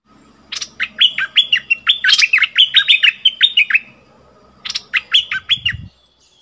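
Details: Caged decoy bulbul singing to lure fierce wild birds, recorded 28 February 2021: two bursts of quick, sharp, whistled notes, each bending down from high to middle pitch, roughly ten in the first run and four after a pause.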